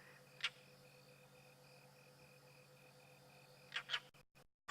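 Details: A European roller on a sunset safari, 14 March 2017, gives a strange call likened to a vervet monkey alarm: harsh rasping bursts, one single then a quick double about three seconds later, over a steady pulsing high tone, with clicks at the end.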